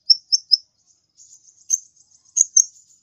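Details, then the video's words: Sunbird known locally as kolibri ninja, singing energetically: three sharp high chirps, a pause with faint ticking, then two louder high notes near the end. "suara burung kolibri ninja gacor"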